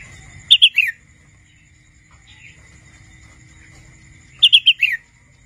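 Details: Young wild red-whiskered bulbul at the age of learning to sing: two brief phrases, each of four quick, clear notes ending in a downward slur, about four seconds apart, with a faint steady tone between.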